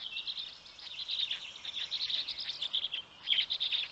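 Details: Storklets of the black stork in Poland's Noteć Forest at 6:09 am, 19 May 2020, as a parent feeds them; continuous high squealing chatter with rapid chirps, swelling near the end.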